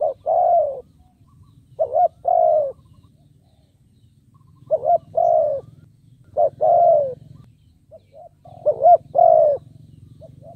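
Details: Luring wild birds, a decoy spotted dove repeats low mellow coos: short double notes leading into long falling coos, in irregular bursts with pauses, over a steady low hum.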